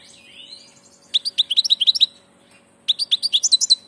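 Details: Goldfinch on passage giving two quick bursts of bright, high twittering notes in rapid succession after a faint thin whistle.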